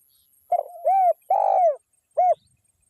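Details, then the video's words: Spotted dove, a local wild-type bird, calling as a lure to rouse other spotted doves: soft low mellow coos, a quick doubled coo, then a longer swelling coo, and after a pause one short final coo, on a silent background. "SUARA TEKUKUR GACOR LOKAL ALAM PANCINGAN SEMUA BURUNG TEKUKUR LANGSUNG EMOSI"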